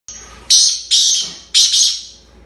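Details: Black francolin of the desi strain, kept in the UK, calling: three loud, harsh, grating notes, each starting abruptly and fading, spaced about half a second apart.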